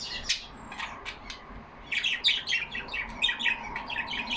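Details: Pet budgerigars kept in a cage indoors: a few sharp isolated clicks and chirps, then from midway a rapid run of scratchy, buzzy warbled notes repeated several times a second.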